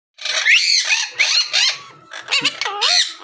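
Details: Monk parakeet talking, producing a rapid run of harsh, speech-like syllables with squeaky whistled slurs and rising and falling warbling notes in short bursts.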